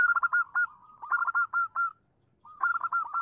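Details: Female zebra dove calling to attract a male as a lure: a quick string of clipped, stuttering coos, a brief silent gap, then another fast rolling run of notes.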